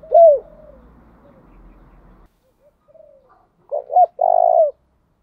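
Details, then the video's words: Spotted dove decoy calling in the morning: one strong falling coo with a softer trailing note over low rumbling hum, a pause with quiet murmurs, then three quick hollow coos ending in a long, steady one. "Chim cu gáy thúc gáy gọi buổi sáng/ tiếng chim cu gáy mồi gáy gọi"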